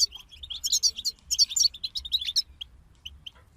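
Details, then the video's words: European goldfinches in group song: a rapid, tumbling burst of twittering notes and trills for over two seconds, then a few spaced single chirps trailing off. "King of Songbirds Goldfinch Group"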